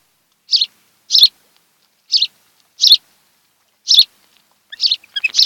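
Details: At a Kent Island, Maryland nest, an osprey couple watched by a webcam in the July 2018 afternoon gives short, high, piercing chirps about once a second, ending in a denser cluster of notes.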